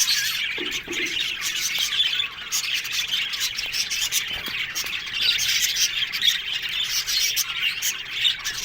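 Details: Aviary colony of budgerigars: constant high-pitched twittering and gritty warbled chatter from numerous birds, with scattered short clicks and squawks through the recording.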